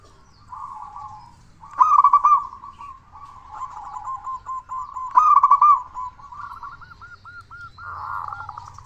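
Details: Local zebra dove, a constant singer with a big voice, used as a lure to get other zebra doves singing. Soft rolling coos alternate with two loud, bubbling trilled phrases and a final burst of quick, evenly spaced notes.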